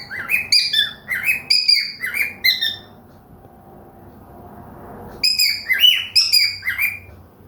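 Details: Pet cockatiel singing in the morning alongside budgies: clusters of quick, bright chirps and slurred whistles, a quiet stretch with only a low hum, then another burst of mixed chirping.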